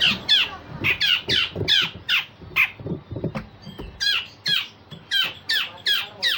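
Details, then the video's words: Grey-cheeked bulbul in full voice, singing as a vocal tutor for other songbirds, with rough rasping strokes and sharp shot-like notes: a fast run of harsh, downslurred, buzzy bursts, about two per second, with faint low knocks beneath. "Cucak jenggot Besetan Kasar dan Tembakan Tajam"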